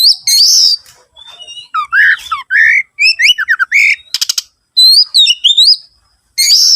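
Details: Oriental magpie-robin song played as a lure to get other birds singing, a rich varied run of whistled, slurred and warbled phrases with quick rising and falling notes and a short buzzy rattle, nothing else heard.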